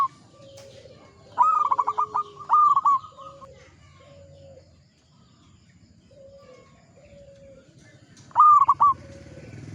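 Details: Local zebra dove (perkutut), a steady-singing mature bird, in full song: bursts of fast trilled cooing phrases at about two and eight seconds, softer lower coos between, quiet stretches and a faint low rumble behind.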